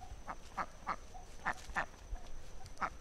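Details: Muscovy duck giving short, harsh quacking calls in a loose series of about six notes over three seconds, with a low background rumble.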